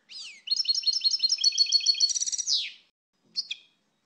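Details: European goldfinch with one brisk song phrase, rapid evenly paced chirps accelerating into a dense trill and a buzzy falling slur, then a single short call after a pause.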